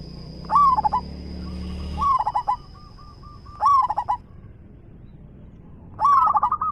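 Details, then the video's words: A local zebra dove with a big, strong voice cooing in four bursts of rapid, rolling, mid-pitched notes about every one and a half seconds; a faint steady high whine and low hum sit underneath. "PERKUTUT LOKAL GACOR suara besar"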